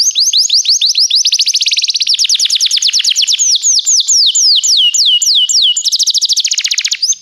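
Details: Training song of a Belgian canary: long rapid series of bright down-slurred notes, the tempo shifting between tight trills and slower looping whistles, with a final lower buzzy roll.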